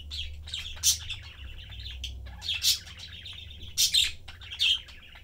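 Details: Pet budgerigar family of three, a blue father, a yellow mother and their young, chattering while eating: warbled, buzzy chirps with sharp bright squeaks about every second, over a low steady indoor hum.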